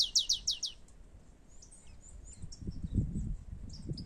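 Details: Rufous-collared sparrow singing in the wild, one of two birds competing: a quick burst of four bright, high, descending slurred notes at the start, then faint scattered chips and low rumbling background noise.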